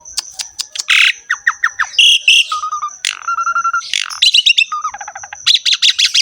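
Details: Javan pied starling (jalak suren) singing in energetic gacor style with ngerek churring: a rapid medley of sharp clicks, buzzy bursts, short steady whistles and chattering trills, with a faint constant high whine behind.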